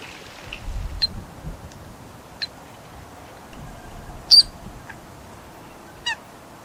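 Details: A Eurasian coot at Shin-Yokohama Park gives a few sharp, high, clipped calls spaced one to two seconds apart, the loudest a piercing note near the middle, over a low background rumble; recorded in winter, with some calls described as squabbling.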